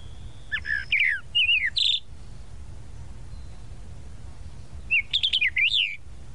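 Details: Sabiá-da-praia, the tropical mockingbird, sings a phrase of mixed whistles and a harsh buzzy note, falls silent for about three seconds, then adds a rapid zigzagging series of chirps; low background hum throughout.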